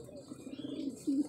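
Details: Low murmuring coos from kept pigeons during vitamin and medicine feeding; a soft run of low tones, then a louder, short steady coo near the end, over faint room noise.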